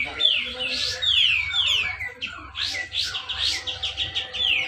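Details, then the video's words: Caged Grey-cheeked bulbul at a bird-singing competition in North Kalimantan, Indonesia, giving close-packed whistled song used as a lure for quiet birds. Bright falling slurs come in short bursts, with a faint low drone behind. "cucak jenggot besetan rapet"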